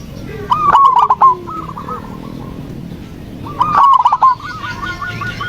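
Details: Zebra dove lure song for a dove on a terrace that will not sing: two phrases about three seconds apart, each a burst of hooked cooing notes trailing into a lighter, rhythmic trill.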